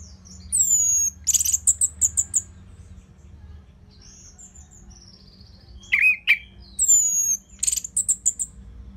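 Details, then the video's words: Orange-headed thrush, or anis merah, in steady song played to prompt other birds to sing. Bursts of thin, very high whistles and chirps are broken by pauses, with one lower, fuller slurred phrase near the middle. "Dipancing Dengan Kicauan ANIS MERAH Gacor Selow"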